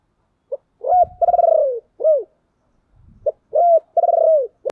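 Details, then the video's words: Spotted dove cooing to attract other doves, repeating a phrase twice. Each phrase has a short note, a level coo, a vibrating falling coo and a rounded coo. Soft low clicks are heard between the phrases. "cu gay kich boi nhanh noi/ gáy gọi cực đỉnh"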